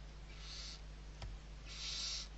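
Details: Barn owl owlets being fed, six young birds, Riet Vell reserve, Ebro Delta, Spain, November 2023; two soft airy hisses with a brief click between them, against a constant low hum.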